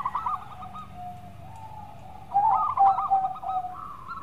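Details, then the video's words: Zebra dove of a local strain singing for luring: a short rolled coo burst, then long, low, mellow drawn notes. A louder rippling series of coos follows over a quiet hum. "Pancingan Perkutut Lokal Gacor Suara Merdu"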